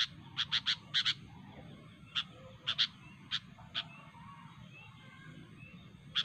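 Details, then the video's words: Sooty-headed bulbul in the wild, sharp calls aimed at rivals: clusters of two or three quick, bright notes, then lone notes after short pauses, against a low background rumble. "suara burung kutilang gacor asli alam tanpa isian"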